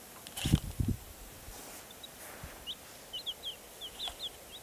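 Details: Black Cochin chicks peeping in short, high, slightly rising notes repeated every few tenths of a second, preceded by a few dull thumps and handling noises near the start.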